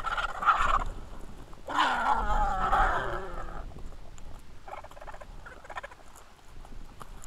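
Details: Griffon vultures jostling in a feeding frenzy at Israel's Hai Bar vulture feeding station, camera recording from 2 August 2021; a brief harsh squawk, then a long rasping, wavering groan-screech, fading into softer hissing.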